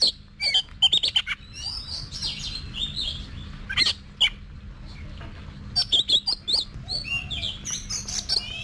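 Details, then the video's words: Vietnamese competition-trained Oriental magpie-robin singing: clusters of sharp clicks alternate with soft warbled phrases and bright high whistles, recurring in bursts across the recording over a low background hum. "Luyện Giọng Cho Chòe Than Hót Đấu"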